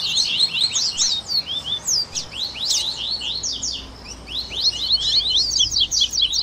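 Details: Coleiro (Double-collared seedeater) 'esquenta' warm-up song mix used to encourage a captive bird to sing: fast, bright, twittering notes with sharp up-and-down sweeps, delivered in crowded bursts of about two per second with brief lulls.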